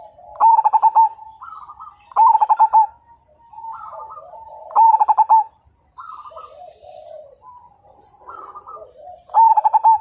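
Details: Majapahit zebra dove in full song, said to prompt other birds to sing along; four loud bursts of rapid ringing coos about every two to three seconds, softer answering coos between them.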